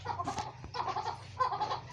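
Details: Captive chukar partridge in breeding season on a farm in Pakistan, calling with a pet cat sitting nearby and seeming only mildly alarmed: three bursts of harsh, clucking chatter about every half second to second, mid-pitched, over a steady low hum.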